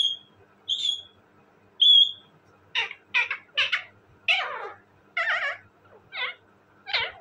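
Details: Talking parrot opening with several thin high whistles, then a series of rough, speech-like bursts of varying pitch, some wavering, spaced about half a second apart.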